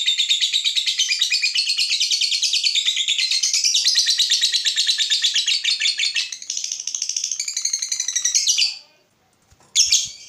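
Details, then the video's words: Lovebird in extended ngekek, a long trill meant to spur other lovebirds to sing: about nine seconds of rapid shrill chattering that fades briefly, stops, then a short final burst. "Pancingan SUARA BURUNG LOVEBIRD INI"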